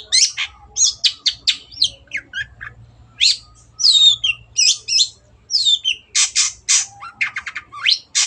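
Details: Long-tailed shrike (cendet), lively 'gacor' singing with a clear voice. A continuous jumble of scratchy chatters, slurred whistles, twisted squeaky phrases and harsh notes runs for eight seconds. A faint low whistle sounds in the background.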